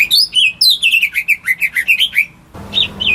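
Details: Caged greater green leafbird, kept at home, in song meant to prompt silent birds: rapid series of bright sliding whistles and chirps, about four per second, then a brief gap and a final pair of louder notes over background hiss.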